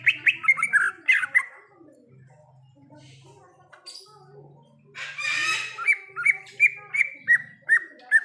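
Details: In the wild, a greater green leafbird opens with quick tumbling whistled notes, pauses, lets out a harsh rasping burst, then a steady series of short sharp whistles repeated about twice per second.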